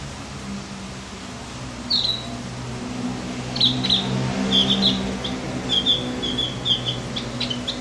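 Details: Javan grey-throated white-eye song used as a recording to stir up other birds: a single sliding note, then a loose string of sharp, high chirps and short twitters that grows busier toward the end, over a low droning hum.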